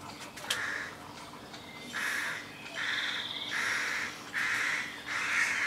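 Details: Young crows in a neighbour's tree between houses, giving loud, harsh, hoarse rasping calls, each about half a second long, repeated in a fairly steady series of about six, with a faint hum beneath.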